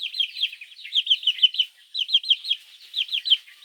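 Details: Baby chicks peeping for their mother in the morning: dense, high, looping chirps in quick overlapping runs, roughly one burst per second, with short pauses between bouts and no other sounds.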